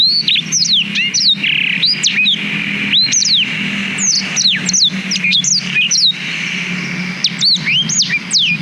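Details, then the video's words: Black-throated canary in sustained song for tutoring young canaries, filmed on a GoPro Hero 5: continuous rapid high whistled notes, sweeping downward and upward, delivered almost without pause over a steady low hum. "Suara Blackthroat Durasi Panjang Untuk Masteran Kenari"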